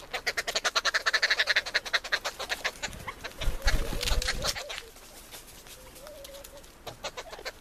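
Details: Arrow-marked babbler feeding at a campsite; a fast, harsh chattering of rapid repeated pulses for about three seconds, followed by a louder low rumbling burst and a few softer wavering notes trailing off.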